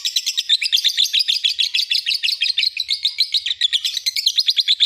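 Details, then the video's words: Training master of lovebird song: an unbroken stream of high, squeaky chirps in rapid succession, slightly uneven in rhythm and loudness, with no other sounds. "Masteran burung lb"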